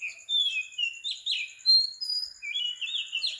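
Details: Sri Lankan morning recording at 4 am of an Oriental magpie-robin: sweet whistled notes, some long and level, some sharply falling, in a continuous varied phrase over a constant high tone.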